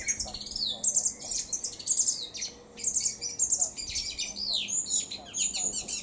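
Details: A song thrush singing in Cambridge, UK, on 28 May 2021 at 2:53 pm gives a dense, unbroken run of bright, high phrases: sharp chirps, rising and falling whistles and rapid chatter, over a faint low hum.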